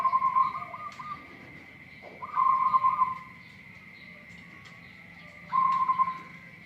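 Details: Local zebra dove with a strange voice, giving three short bursts of rapid, beaded cooing about three seconds apart, each near one second long, over a steady high tone and faint low rumble.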